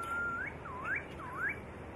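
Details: White-rumped shama, a master recording for training songbirds: a long level whistle that slides sharply upward, then two looping whistles that dip and swoop back up, over a steady low background hiss.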